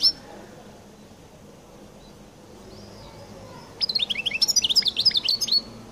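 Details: After several seconds of near quiet, a European goldfinch launches into its distinctive 'qal' song, a fast, high tinkling twitter of rapidly repeated clipped notes mixed with buzzy trills.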